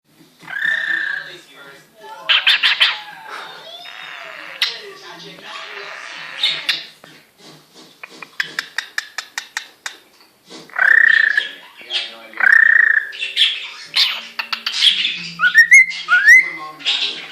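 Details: A 9-month-old male cockatiel (Nymphicus hollandicus) singing to a mirror warbles a busy song of clear whistles mixed with scratchy chatter and clicks.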